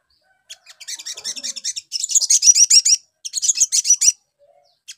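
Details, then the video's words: Sunbird (sogon) recording used as a lure sound to provoke quick response from a trainee bird: rapid, high-pitched twittering song with bursts of thin, buzzy notes for about three seconds and a short pause. "PANCINGAN SOGON BAHAN CEPAT NYAUT"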